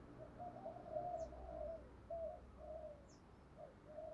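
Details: Faint Spotted dove cooing in 'thúc gù' style, meant to get decoy doves to coo in reply: low-volume mid-pitched coo notes strung together irregularly against steady hiss, with occasional brief high bird chirps.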